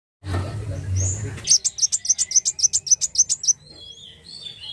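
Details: Black sunbird singing: after a low rumble, a rapid run of about fourteen sharp, high, evenly spaced chips at roughly five per second, followed by a thin, high, drawn-out whistled trill.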